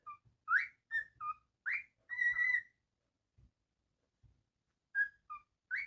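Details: Pet male cockatiel, described as naughty, giving short whistled notes that slide up and down, some rising sharply, then a longer wavering whistle, with a pause before three more clipped whistles; indoors and otherwise quiet.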